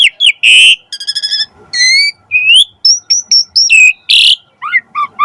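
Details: Asian pied starling singing a rich, varied phrase used to prompt starlings to sing: a harsh burst, a rapid stuttering rattle, clear rising whistles, a buzzy squawk, and paired chirps.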